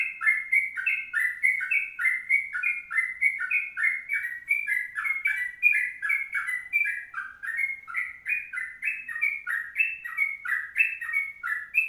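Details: Sooty-headed bulbul delivering an extended 'kongslet' song, with fast, continuous strings of short slurred whistles, each note bending down and following the next almost without pause, all in a clean recording.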